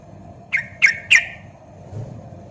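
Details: Sooty-headed bulbul, a Javan trucuk, in a clear song used to prompt other bulbuls to sing: three short loud notes about a quarter second apart, each a sharp onset sliding into a falling whistled tail, over a low steady hum.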